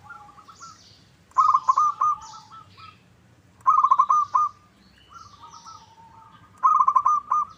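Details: Local zebra dove call played to draw an answering bird: three rolling phrases of quick staccato coos, about every two to three seconds, with softer drawn-out notes between and light high chirps from other birds.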